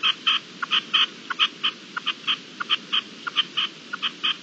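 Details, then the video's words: Partridge calling during a hailstorm on 16 April 2021: short, harsh clucking notes, many per second, some louder and some softer, over a steady hiss of falling hail. "Granizada y reclamo de perdiz"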